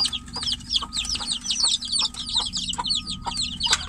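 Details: Chicks of the domestic chicken, locked in a cage with the mother hen outside, peep insistently for her; a thick, continuous chorus of high slurred cheeps with occasional knocks and a background hum.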